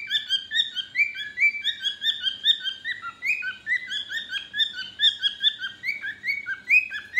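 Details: A pet cockatiel babbles and sings a busy run of bright, whistled chirps and warbles, with notes rising and falling.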